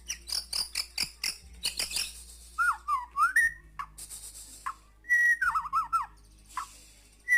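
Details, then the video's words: White-rumped shama singing energetically: a burst of high, scratchy chip notes, then clear whistled phrases that slide up and down, with loud rising and falling whistles separated by short pauses. "Burung murai batu gacor banget"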